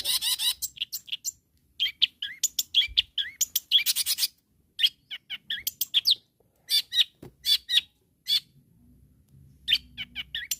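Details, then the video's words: Long-tailed shrike calling to provoke rivals: a long, busy medley of scratchy chatter, squeaky chirps and loud harsh bursts, pausing briefly, then resuming with sparse sharp notes. "SUARA BURUNG CENDET GACOR MEMANGGIL LAWAN"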